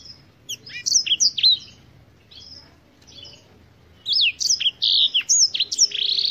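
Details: Black-throated canary from Africa delivering bright, high whistled phrases of swooping downslurred notes, a burst early on, a quiet pause, then a fuller run of rapid sweeping notes.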